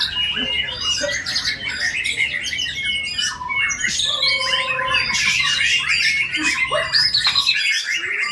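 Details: Bowing white-rumped shama with a richly filled song of imitations: squawky bursts, clicks and sustained whistles, ending with a short gap of near silence.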